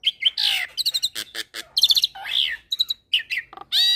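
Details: Training mix of Asian pied starling song alongside Nias hill myna and a hybrid of the two: bursts of harsh rasping notes, clipped repeated chips and short buzzy phrases, ending in a sustained grating note.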